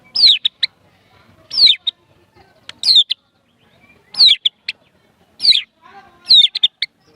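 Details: White-rumped shama kept as a pet, delivering prinia-style imitations: loud descending sweeping whistles followed by crisp chips, repeated in phrases roughly every one to one and a half seconds.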